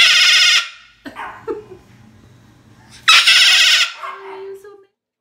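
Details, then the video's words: Pet Moluccan cockatoo showing how loud it can get: two harsh, very loud broadband screams about three seconds apart, with a person's soft talking and small bird noises in the quieter gap between them. "How loud are parrots, can they get crazy loud? My Moluccan Cockatoo showing you how loud"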